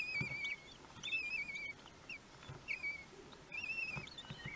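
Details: Week-old common kestrel nestlings begging at a feeding on 31 May 2020, recorded at the nest: high, quavering whistled notes in short bursts roughly every second, sliding down at the ends, with soft rustling between.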